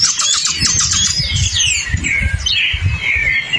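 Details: A hepatic tanager sings in the forest, giving quick, slurred whistled phrases with falling sweeps that overlap other bird voices, over a low rumble of wind or distant traffic.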